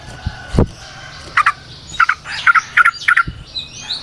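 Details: Yellow-vented bulbul singing in the 'ropel panjang' style, played as bait for other bulbuls: a loud low thump opens it, then a quickening run of paired husky chirps, with softer background noise.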